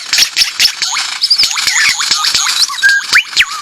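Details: Forest lyrebird from Australia pouring out a dense, continuous jumble of whistles, slurred swoops and rapid clicking ticks, all overlapping into a busy torrent of sound.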